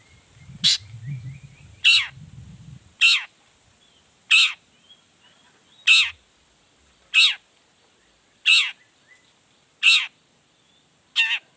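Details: Long-tailed shrike in full, excited voice, meant to provoke other shrikes into answering: loud harsh rasping notes repeated roughly once a second, falling in pitch, with a low rumbling noise during the first three seconds.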